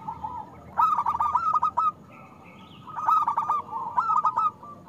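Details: Local Zebra dove singing loudly, kept as a lure to make reluctant doves sing: three bursts of low, rolling, stuttering coos with fast pulsed notes, separated by short pauses and a faint thin whistle.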